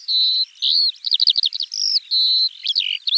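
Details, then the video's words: High, unbroken skylark song in spring: two long steady whistles, a burst of rapid trilled chirps, then another whistle and a few dropping slurred notes. "Kiurun / Leivon laulua | Skylark Singing"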